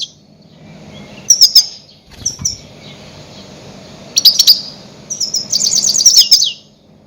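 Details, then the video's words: Goldfinch giving loud calls used as a lure for catching grey-headed goldfinches: bright high twittering bursts with a pause between them, then a longer run of rapid, liquid chirps near the end against quiet background hiss. "Громкие крики щегла для ловли и охоты на Седоголового щегла"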